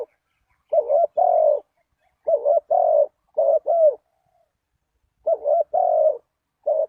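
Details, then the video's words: Lure call of a spotted dove used to draw in wild doves: soft hooting coos in quick pairs, a dipping first note and a drawn-out second, grouped in runs separated by a silent gap of over a second. "Chim cu gáy chiêu kích mồi tập bổi nhanh nổi hiệu quả"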